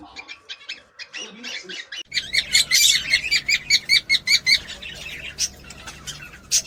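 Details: Cockatiel sounds meant to encourage mating: soft chatter at first, then a loud run of sharp repeated chirps and squawky notes about two or three per second, with a low hum beneath.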